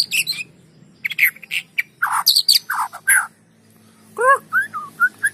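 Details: Lure song of a white-rumped shama for prompting silent birds to sing: rasping, chattering bursts followed by a clear downward-sliding whistle and short bright whistled notes.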